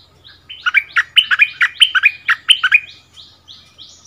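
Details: Cream-vented Bulbul (Burung merbah lekir), a caged decoy bird duelling in song with a new resident territory holder at its former home area. A quick run of sharp, bubbling whistled notes, fading into soft rising chirps.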